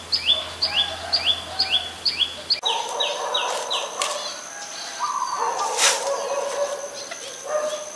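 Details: Adult Common Tailorbird (Orthotomus sutorius), common resident, Ubon Ratchathani, Thailand, 20 April 2022, giving loud, sharp, downslurred notes repeated about three times a second; steady high whine and faint other birds behind.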